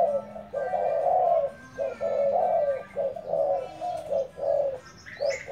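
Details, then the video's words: Spotted dove used as a decoy, delivering repeated low coos about once a second. The notes are soft and rounded with slightly uneven spacing. A brief higher chirp from another bird is heard near the end. "Dợt cu gáy mồi"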